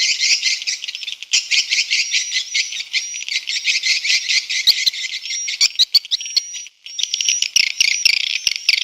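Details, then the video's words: Swiftlet response call heard as continuous, dense, high-pitched chittering, many rapid buzzy notes blending into a shimmering wash with thin whistled streaks. "Suara Walet respon"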